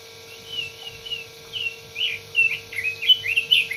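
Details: Red-billed leiothrix singing a lively string of short, varied, bright chirps and warbled notes that grow louder and busier toward the end, over a steady low electrical hum.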